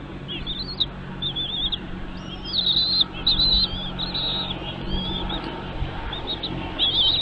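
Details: Nestlings calling while parent birds bring food to the nest: continuous high, rapidly wavering chirps and squeaky trills, bursting louder around three seconds and again at the end, over a constant low hum.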